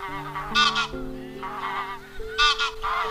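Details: Flock-calling wild goose, used to lure birds into nets: two loud paired honks, one early and one late, with softer wavering honks between, accompanied throughout by sustained low musical tones.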